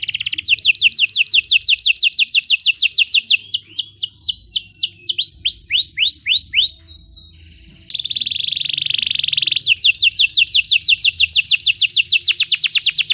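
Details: Belgian canary song meant to teach other canaries to sing: rapid series of downslurred whistled notes, slowing into separate sweeping notes, a brief pause, a dense buzzy roll, then fast whistled downslurs again.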